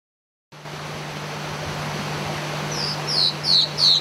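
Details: Star-throated Antwren (Myrmotherula gularis), Serra do Japi, Brazil, 2007: four thin, high notes growing louder, about three a second, over a steady low hum and background hiss.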